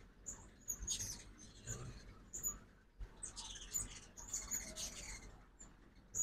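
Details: Ruby-throated hummingbirds during fall migration on a morning at a backyard feeder in Oxford, Mississippi: bursts of very high, squeaky chittering and sharp chips come in two clusters, with soft background rumble.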